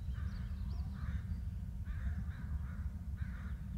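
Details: Bald eagle adults calling to each other in four or five loud, grating squeals spaced roughly a second apart, with high thin overtones and low rumbling wind throughout.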